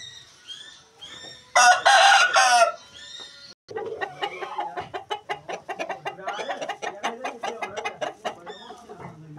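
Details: Aseel rooster crows once, loud and rasping, in three quick bursts, followed by a long run of rapid, sharp chirps and clucks from nearby birds.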